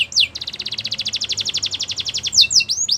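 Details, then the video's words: Belgian canary in song, giving a long, fast pulsed trill of sharp high notes, closed by a few swooping whistles, over a soft low background hum. "Do this and your belgian canary will sing a lot!!"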